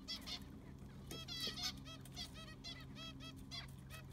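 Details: Zebra finches in an aviary at cleaning time with new sand; loud, nasal honking beeps follow one another rapidly from several birds, some slightly rising, above a faint low hum.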